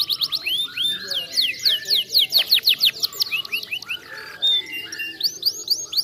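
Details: Canary song: fast series of sharply down-slurred whistled notes, roughly two per second, repeated in overlapping runs with buzzy high fragments above, a brief pause near four seconds, then the downsweeps resume.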